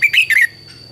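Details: Red-whiskered bulbul morning song used as a lure for training birds: one short, bright, warbled phrase of three quick rising and falling notes, with a steady high whine behind it.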